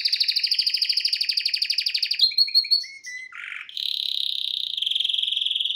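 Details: A male canary, singing while watching a video on TV, gives a fast rolling trill of rapid repeated notes, then shifts through short chirps into a higher, steady buzzing trill.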